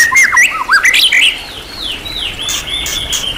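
White-rumped shama singing a rich, varied run of quick whistled notes, slurred upsweeps and trills, shifting rapidly in pitch before easing into softer falling phrases.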